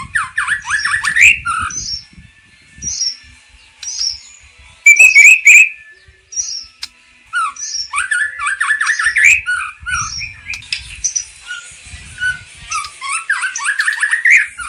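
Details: Oriental magpie-robin singing varied phrases of repeated falling whistles, short high notes and chattering bursts, with pauses between runs; soft low rustling sounds.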